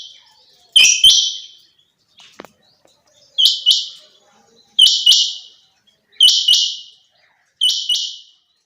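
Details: Sharp, harsh doubled notes from a female quail, each burst trailing off in a rasp, repeated five times at an even rhythm with silence between.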